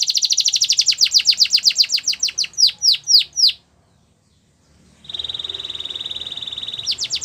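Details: Russian canary singing a training song, with a fast high trill slowing into separate downslurred notes, a short pause, then a long steady whistled rolling tone ending in sweeping notes.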